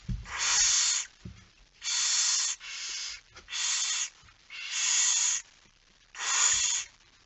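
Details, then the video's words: Barn owls at a nest at night while being fed, September 2019: six loud, rasping, wide hisses, each lasting under a second, with brief gaps between them. "Kerkuil It Fryske Gea 2019 09 10 22 45 voedering"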